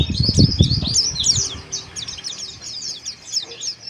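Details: Rough ngeriwik twittering of white-eyes, played to boost breeding arousal: dense high chirps throughout, with low knocking thuds in the first second and a half.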